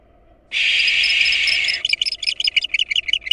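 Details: Barn owl nest during an attack on nestlings by an intruding female, with the father returning to defend them. A loud hissing screech of more than a second breaks into a rapid series of short chittering clicks, roughly three per second.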